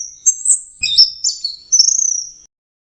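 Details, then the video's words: Orange-headed thrush in full song: thin very high whistled notes and slurs, ending in a fast rattling trill before falling silent. "Beginilah suara burung anis merah sedang teler"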